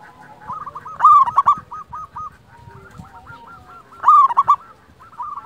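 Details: Local wild zebra dove, recorded for luring and for tutoring quiet caged doves. Loud gurgling coo phrases come every three seconds, each followed by a chain of soft clipped notes repeated evenly, over faint background rumble.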